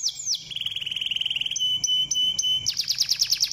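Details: Canary song played to stimulate other canaries to sing: sweeping high whistles, then a fast even trill, a steady held tone with clicks, and a rapid rolling burst at the end.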